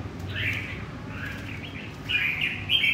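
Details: A wild-caught red-whiskered bulbul from central Vietnam sings three bubbly warbled phrases, the last loudest and most tumbling, with light background noise.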